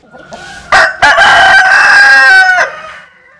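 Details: A rooster, Vietnamese or American Sil breed, crows loudly: a brief rising start, then a long sustained harsh call that holds level before cutting off.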